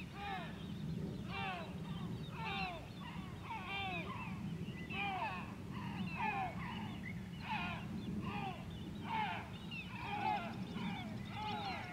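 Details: At Grönvik, Ornö, on 16 July 2024, a White-tailed eagle calls in a long, dense series of sharp, falling yelps in bursts, backed by a rumbling low hum.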